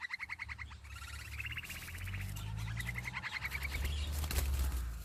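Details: Hungry nestlings, possibly sparrows, begging for food in the nest: rapid bursts of thin, high chirps, several voices overlapping, over a steady low rumble.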